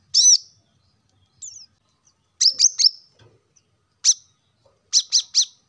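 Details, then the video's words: Plain-throated sunbird song used to encourage lazy caged birds to sing: high piercing chips, some in quick triplets, with a faint thin descending slur between them. "kolibri kelapa | wiceh | manggar | cuitan korlap gacor untuk burung agar cepat rajin bunyi gacor"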